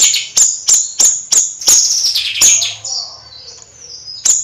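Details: Bayeman in gacor nyrecet song: a quick series of six shrill, clipped high notes about a third of a second apart, running into a falling buzzy warble, then a thin sustained whistle and one final chip.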